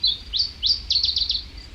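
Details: Iberian chiffchaff song played back, its ending chi-chi-chi sequence being what separates it from the common chiffchaff: high thin notes, then sharp descending chips quickening into a rapid series of short notes.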